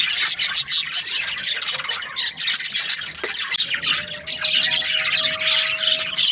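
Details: Budgies during breeding season, a group chattering nonstop with bright chirps, squawks and rapid warbling notes layered over each other; a low steady tone sounds in the second half.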